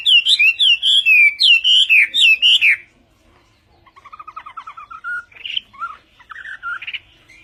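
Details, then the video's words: Chinese hwamei (họa mi tây) singing in Vietnamese style: a fast run of loud, slurred whistles repeated about four per second, then a pause and a quieter rising buzzy trill leading into varied whistled phrases. "HỌA MI TÂY - TIẾNG HÓT VIỆT"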